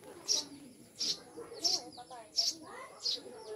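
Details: Captive Eurasian tree sparrows, the maya kept as new pets and described as mountain birds, give five loud, clipped chirps spaced about 0.7 seconds apart, with soft talking underneath.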